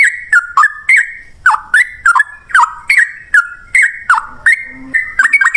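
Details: Sooty-headed bulbul song used to prompt other bulbuls to answer: bright, fluty whistled notes, each with a downward dip, delivered in a loose chattering run with slight pauses.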